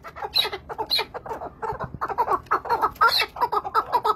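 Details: Chukar partridge calling in the Zagros: a rhythmic series of throaty chuk-chuk notes, roughly two per second, building into a steady chattering rally with occasional sharper higher notes on top.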